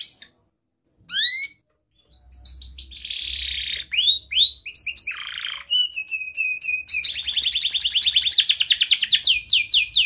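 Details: Young canary singing tight rolls and chirps to teach juvenile canaries: isolated rising chirps, then varied whistles and buzzy phrases, building into a long, fast, continuous trill of repeated clipped notes with faint low hum.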